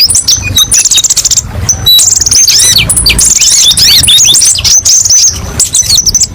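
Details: Training recording of kolibri ninja sunbird song with many varied sharp phrases: high chirps, fast downslurred notes and buzzy trills in quick succession, with faint low hum in the background.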